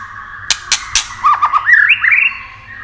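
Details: A White-rumped shama sings to excite rival shamas: three sharp clicks, then a run of short dipping whistles climbing into higher slurred notes over a faint steady hum.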